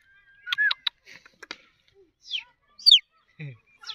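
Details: Pet Indian green ringneck (rose-ringed parakeet) talking in short, clipped, high-pitched syllables, mixing scratchy word-like sounds with squeaky rising and falling notes over about four seconds.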